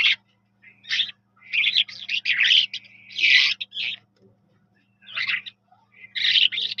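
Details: Eurasian skylark singing with chattering, high warbled phrases that begin with a thin sustained whistle, with a pause near the middle before renewed bursts, a soft low hum in the background.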